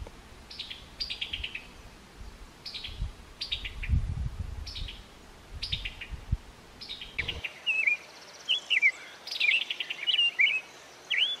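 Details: A summer tanager gives repeated chuckling call notes, short dropping clusters of clicks about every second, followed by clearer whistled, warbling phrases from a bird; low rumbling noise underneath early on.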